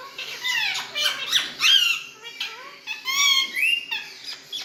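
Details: Pet Indian parrots chatter indoors in a talking mood, giving harsh, bending, harmonic squawks and squeaky syllables in irregular bursts, some notes sliding upward, others dropping sharply.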